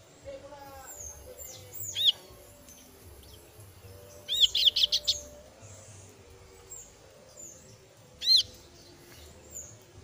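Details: Female kasu-kasu bird chick calling for its parent with a few high, downslurred chirps, one fast stuttering burst of several notes in the middle, and a last single chirp, with soft thin whistles in the background.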